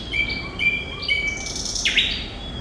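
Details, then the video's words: Brief lively phrase from a thrush nightingale: held whistled tones at several pitches, then a loud sweeping downslurred note, with no other sounds. "Sikatan Londo Thrush Nightingale Gacor"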